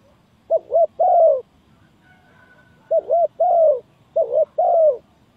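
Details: Spotted dove cooing as a trapping lure: three phrases, a pause of over a second after the first, each a quick warbled two-part coo then a longer mellow coo dropping in pitch.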